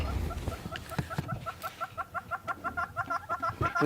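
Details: A southern red-billed hornbill up in a tree, making lots of noise during an African sunset safari drive, gives a fast run of clucking notes, about three per second, building louder over a low vehicle rumble and brief talk.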